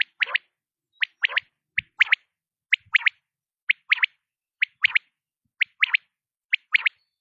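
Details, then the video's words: Quail giving a steady series of ringing three-note calls, a single clipped note followed by a fast double, repeated about every 0.8 seconds, ten phrases in total. "quail sounds batair ki awaz"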